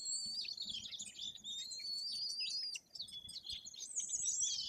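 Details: White-tailed eagle chicks, nearly three weeks old, being fed by their parents at the nest in Bory Tucholskie forest, Poland; high thin whistled peeping runs almost continuously, with a brief pause midway and other bird chirps behind.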